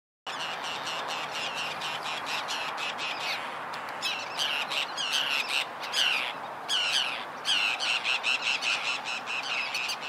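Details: Forster's tern, recorded on 12 May 2011: harsh, rasping squawks repeated roughly once a second. The calls grow louder and denser in the second half, over a steady broadband background hiss.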